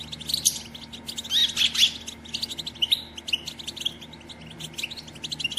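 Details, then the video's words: Batbata of a female European goldfinch, played to prompt males to sing and mate: scattered high chirps and short trills, with a louder twittering burst in the middle, over a steady background hum. "بتبتة أنثى الحسون"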